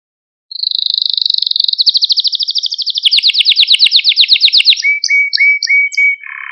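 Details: Stimulating training song of a canary: after half a second of silence, a high fast trill broadens into a loud pulsed rolling tour, ending with short clipped whistled notes.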